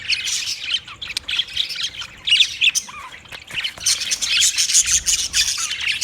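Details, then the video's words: Budgerigar calls: fast scratchy warbling and chirps, a quieter dip in the middle, then a dense, louder burst of high squawking toward the end. "Funny Budgies Sounds"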